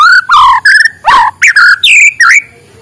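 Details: White-rumped shama singing in the morning, used to stimulate lazy birds: loud clear whistled phrases, some falling and some swooping upward, in about seven short bursts over three seconds.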